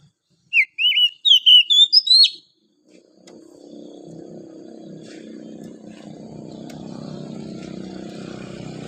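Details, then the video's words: Morning song of a wild forest oriental magpie-robin: a rapid run of sweet whistled phrases, some rising, others sliding down, with sharp upper notes, lasting under two seconds, then silence and a growing low rumbling background. "OCEHAN KACER DIAPAGI HARI, suara asli kacer hutan liar"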